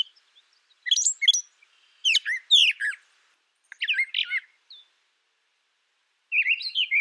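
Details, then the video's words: Brown thrasher singing short, varied phrases of sharp chirps and slurred notes, grouped in bursts separated by pauses of about a second, with a longer gap before a final phrase. "Brown Thrasher Bird Sound, Bird Song, Bird Call"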